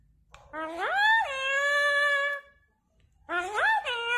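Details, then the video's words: A talking parrot saying "I love you": a high, rising opening syllable leads into a long, steady, sustained tone. After a brief silence comes a shorter rising-and-falling phrase. Indoors, otherwise quiet. "parrot Saying I Love You"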